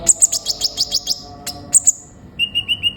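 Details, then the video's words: An Olive-backed Sunbird, used to lure other sunbirds into calling, gives quick, very high, thin chirps, about six or seven per second, then a steadier run of lower, sweeter notes. "burung kolibri ninja gacor"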